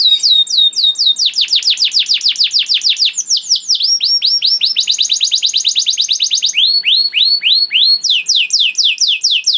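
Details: Long, varied canary song with special melodic turns, used to train young canaries: continuous tours of fast repeated slurred notes, each run changing in pitch and speed without a break.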